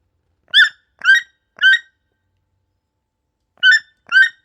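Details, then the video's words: Yellow-billed toucan in a forest, giving short croaking, harmonic-rich notes: three in quick succession about half a second apart, a pause of nearly two seconds, then two more. No other sounds. "Canto do Tucano-de-bico-amarelo: Som de um tucano na floresta"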